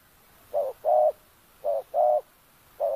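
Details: Spotted dove used as a decoy to lure wild birds, oil palm estate, Kampung Luagan, Sabah: mellow cooing in short-long pairs, two full pairs and a final short note, spaced about a second apart.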